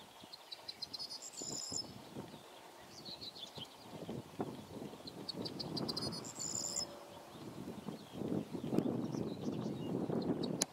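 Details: A corn bunting at the lower Tiligul estuary, Odesa region, Ukraine, on 17 May 2015, gives two short, high, jangling songs, each a quick run of ticks speeding into a glassy rattle, over a steady low wind- or traffic-like rumble.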